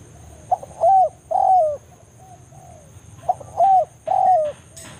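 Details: A spotted dove's forest 'banggo' lure call aimed at a rival, for pulling other doves toward a trap; two phrases, each a short note and two long warm coos, with a faint tonal whine and a brief click at the end.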